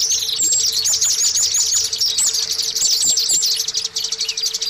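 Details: Oriental white-eye used as a lure to start caged birds singing: rapid high chatter with repeated wavy whistled notes, set over a constant low hum.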